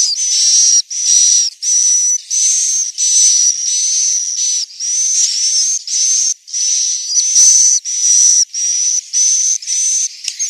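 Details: Swiftlet roosting call from Central Sulawesi: hissy, buzzy bursts about once every half-second to second, each carrying a thin steady high whistle, repeated throughout with short silent gaps.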